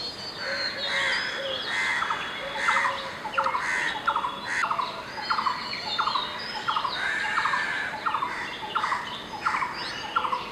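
A blue-throated barbet gives loud, throaty notes repeated in steady rolling phrases, over a constant hiss of insects and faint calls from other birds.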